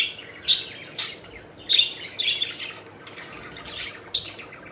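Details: Playful budgerigars flying and chirping, giving sharp, bright chirps and short squeaky calls in clusters about a second apart, separated by brief quiet spells.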